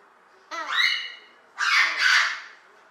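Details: Female pet Eclectus parrot talking. Her voice was deeper when she was acquired at age two and a half and has risen slightly in an all-female household. One short harmonic utterance is followed by a longer, louder, harsher phrase in two parts.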